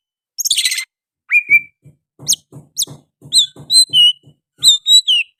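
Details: Oriental magpie-robin singing energetically with sooty-headed bulbul phrases in its song: a buzzy burst, then clear whistled notes with bright high slurred phrases. Soft low thumps repeat underneath.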